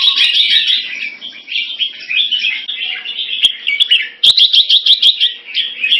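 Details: At a Singapore singing contest, a red-whiskered bulbul (jambul) delivers rapid twittering warbles, ending in a run of quick, evenly spaced bright notes, punctuated by two sharp knocks.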